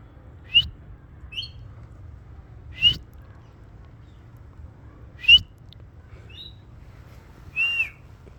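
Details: Ringneck parrot said to be talking; heard here are short sharp squawks and chirpy whistles around four to five times in eight seconds, with quiet low background hum between calls and no clear words.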